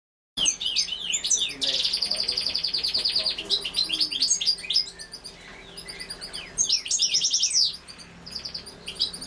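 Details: Female goldfinch while feeding, giving dense high twittering: rapid chirps and buzzy trills tumbling together almost without pause, with a longer buzzy stretch near the start and sharp downslurred notes throughout.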